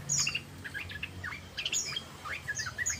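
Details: Yellow-vented bulbul (trucukan) in the rapid 'ropel' chattering style: short bubbly chirps and slurred notes, some high and thin, others lower and rising, scattered across three seconds over a faint low hum.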